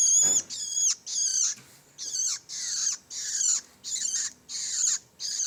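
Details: Juvenile long-tailed shrike calling in a steady series of short, harsh, wheezy rasps, about eight bursts in five seconds, each with a slurred downward edge, after a brief click at the start.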